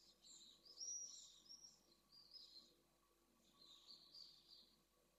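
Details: Pallid swifts in a nest box in Jerez de la Frontera, where a male defends the nest with a newly laid first egg against an intruding single swift: three drawn-out harsh, buzzy, high-pitched screaming bursts over five seconds, over a faint hum.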